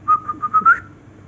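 A cockatiel gives a quick run of clear, steady whistled notes, the last one rising slightly.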